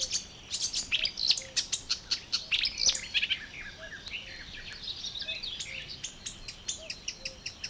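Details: Marsh Warbler song from Matsalu water-meadows and coastal pastures, USSR, 1979 field recording: fast, varied high chattering and twittering phrases, loudest at first then softer, with faint low soft whistles repeating in the background.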